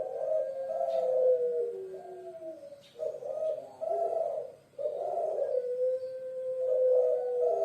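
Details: Puter pelung dove, a bird of Java, Indonesia, kept as a pet: deep overlapping coos with a long drawn, steady note, broken by short pauses and repeated phrases.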